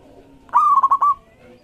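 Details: Zebra dove of a local strain singing to get other doves calling: one bright trilled phrase of four or five rapid bubbling pulses at steady pitch, lasting about half a second, with faint hum behind.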